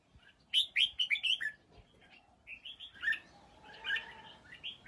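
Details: Red-whiskered bulbul song: a rapid run of five or six clear, rich whistled notes, then a quieter pause and a second, softer rolling phrase of gurgled whistles, with a faint background hum.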